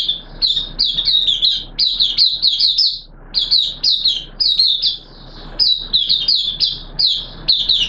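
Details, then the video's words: Oriental white-eye kept by a hobbyist, opening song on a wet day, 6 September 2022: high, sharp, down-slurred chirps in clustered bursts separated by brief pauses, energetic and repetitive. "Mata Puteh T Rex Buka Sing"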